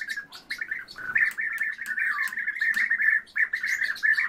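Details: Kept orioles in a duet give a continuous, rapid, warbling chatter of mid-pitched notes, with sharp high ticks scattered over it.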